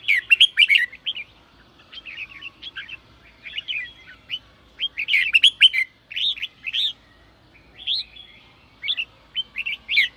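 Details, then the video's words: Red-whiskered bulbul in sổ bọng song for stirring newly caught birds: a strong opening burst, then evenly spaced, clear, looping whistled phrases with brief gaps between groups. "chào mào sổ bọng thúc bổi/bổi nghe là ra bọng/bổi nghe là ức chế sổ bọng ngay"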